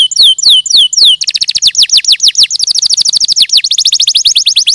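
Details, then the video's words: Canary singing loudly: high, sweeping downslurred whistles repeated about four times, then a fast rolling trill of rapid, evenly spaced notes that continues to the end. "Suara Burung Kenari"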